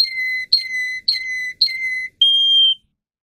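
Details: Russian singing canary used for song training gives four clear, level, flute-like whistles, each opened by a sharp click and lasting about half a second, then one higher held note before silence.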